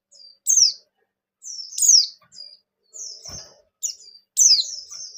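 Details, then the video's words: Bustomi white-eye singing to prompt other white-eyes into song: scattered single piercing downslurred notes mixed with softer thin whistles, loosely spaced, with one brief clicking knock in the middle. "Suara Burung Pleci Gacor Ngalas Nembak #36: Pleci Bustomi Akan Gacor Dengar Suara Ini"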